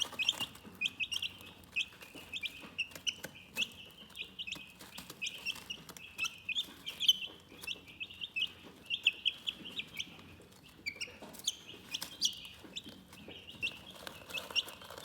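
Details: Chickens making calm, soothing chirps: a dense, steady stream of thin, high peeping notes repeated rapidly and overlapping, with soft clicks and rustling beneath.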